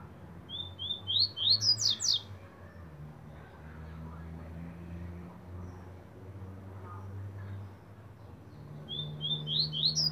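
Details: Caged Double-collared Seedeater singing: two bright phrases of short, rising whistled notes that climb in pitch and speed into a final buzzy flourish, separated by a long pause, over a steady low hum.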